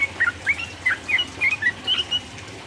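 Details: Sooty-headed bulbul song aimed at provoking rival birds: a handful of soft, clear whistled notes, slurred downward and upward, spaced irregularly over under three seconds, with a quiet hum behind.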